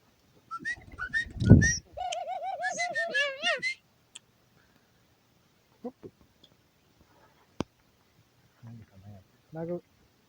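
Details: A male pet rose-ringed parakeet in an aviary on New Year's Day 2021 talks to himself in a rough, nasal voice: a short burst of wavering, speech-like phrases, then scattered clicks and mutters.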